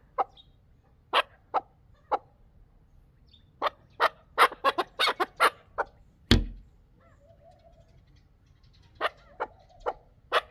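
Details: Chukar partridge from Dulan giving short, sharp chuck notes, first spaced, then a quick cluster, then spaced again, with a soft low thump and a few faint chattering notes in between.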